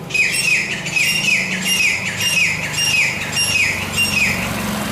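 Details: Grey francolin, locally teetar or gora teetar, calling: a steady series of clear, down-slurred whistled notes repeated roughly every third of a second, over a constant hiss of background noise and a low hum.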